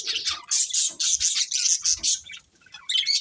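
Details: Breeding pair of budgerigars gives a rhythmic series of loud, harsh chirps roughly every quarter second, then a short silence before the scratchy chatter resumes.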